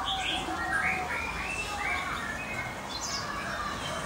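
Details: First-clutch hybrid chicks of a European goldfinch and a Timbrado canary give faint, thin, high chirps, several overlapping in quick succession over a steady background hiss.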